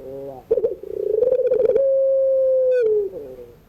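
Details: Puter pelung (Barbary dove) calling in the afternoon, used to train birds learning to sing: a low, bubbling rolled coo that rises into a long, steady, hollow drawn-out note, then falls away and fades.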